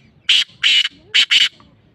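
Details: Black francolin calling: four harsh, grating, high-pitched notes, two spaced apart, then a close pair, each rasping burst about a fifth of a second long, over a quiet background.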